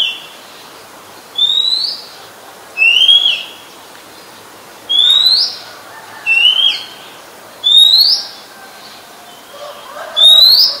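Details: Oriental magpie-robin, common resident bird of Ubon Ratchathani, Thailand, recorded 17 July 2021, delivering a steady series of six loud upslurred whistles, one roughly every one and a half seconds, each with a short high flourish.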